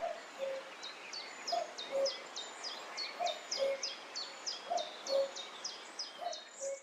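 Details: A common cuckoo gives its far-carrying spring song in the UK, a clear, falling two-note cu-coo about every one and a half seconds, five times. A high, rapidly repeated song from another bird sounds behind it.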